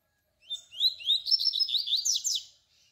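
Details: Double-collared seedeater singing a canturia-style song, used as a model for teaching young birds: one fast phrase of high, rising, slurred whistles that quickens into a run of sharp chirps and lasts about two seconds, in a quiet background.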